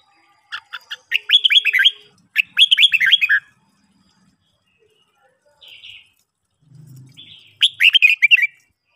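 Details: Red-whiskered bulbul singing during morning training, fast chattering whistled phrases in two bursts early, a short buzzy note and low hum, then a final warbled phrase.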